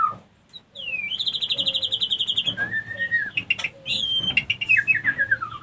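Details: Female white-rumped shama lure call, meant to trigger breeding readiness in other females: a high buzzy trilled whistle held steady, a lower drawn-out note, then clear descending whistled phrases with brief clicks between.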